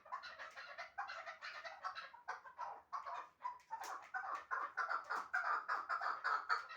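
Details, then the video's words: Chukar partridge from Shahritus, kept as a hunting bird, giving a steady run of loud, harsh clucking chuk notes, roughly two per second, that grow fuller and more ringing toward the end. "Кабки Шаҳритус"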